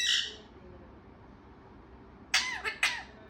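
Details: Talkative parrot: a short breathy high burst at the start, then a quiet pause before three quick harsh, speech-like squawks close together near the end.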